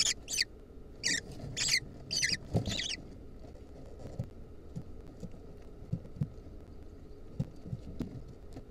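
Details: Lesser kestrel nestlings battling over a centipede give five or six harsh, raspy screeches in quick succession, then fall quiet apart from soft scuffling thumps.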